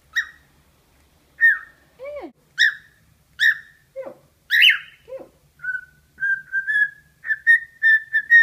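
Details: Pet cockatiel singing to its own reflection in a suitcase: bright chirps alternate with sliding downward whistles, then a run of short repeated whistled notes at a steady pitch.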